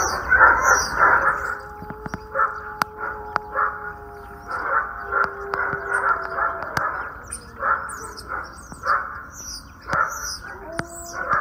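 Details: Common starlings singing on 8 April 2020 during mating and nest building: a dense, rambling medley of chatter, clicks, rattles and long, level pure whistles, with sharp snapping notes throughout.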